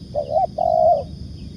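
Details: Spotted dove (tekukur) cooing: two clear, hollow, level coo notes, a short wavering one followed by a longer drawn-out one, against quiet low background noise.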